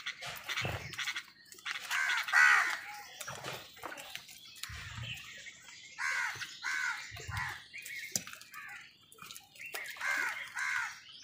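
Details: Crows squabbling with other wild birds over food: repeated harsh, arched caws in bursts of two or three, overlapping with chirps and squawks from other birds, with scuffling sounds between calls.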